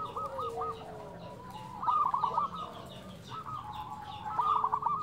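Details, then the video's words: Local zebra dove, a lively singer with a flute-like 'nyuling' voice, gives soft, fairly distant cooing phrases of quick stuttering notes, several overlapping with fainter phrases and a steady background hum. "perkutut lokal gacor suara nyuling"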